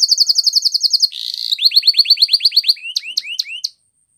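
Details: Training song of a canary: rapid clicking trill, a brief harsh buzz, a run of quick falling whistles, then four wider sweeping notes before it stops.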